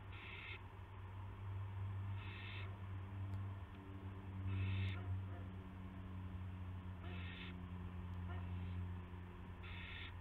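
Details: On March 18, 2016, at 8 PM, an owl brings a gopher to its companion; harsh, noisy hisses come in five or six bursts with pauses of about two seconds, above a droning low hum.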